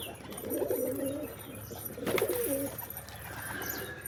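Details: Pigeons cooing: two low, throaty rolling coos, the first near the half-second mark and a second, shorter burst after two seconds, with a faint higher chirp late in the recording.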